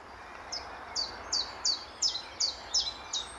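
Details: A common chiffchaff at Standalone Farm, Letchworth, on an early morning in March 2014, sings about eight high, clipped notes, roughly three per second, in a slightly uneven seesaw of pitch over a soft background hiss.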